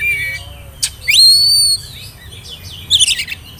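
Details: Oriental magpie-robin song, spotted young-bird type, used as a lure for young birds; a long pure rising-then-level whistle follows short notes, ending in a quick buzzy rattling burst over faint low hum.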